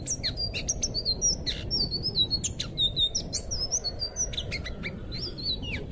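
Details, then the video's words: Blue thrush singing, a recording for training captive songbirds: bright high whistles and fluting slurs mixed with sharp clicks and rising notes in a busy stream, with low hum underneath. "suara burung anis biru buat masteran burung bahan"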